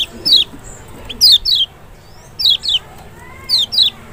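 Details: Special lure of the Lemon-bellied white-eye, Lombok or Sumbawa race Zosterops chloris maxi, aimed at a bird reluctant to sing; eight high falling whistles delivered mostly in close pairs, with soft faint chirps between.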